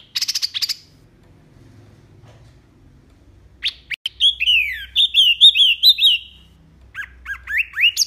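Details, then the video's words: Wambi mini tembakan song used to train kept songbirds: a brief high rattle, a pause, then a quick series of clear, falling, slurred whistles, ending in a few short sharp chirps. "SUARA JERNIH TEMBAKAN WAMBI MINI"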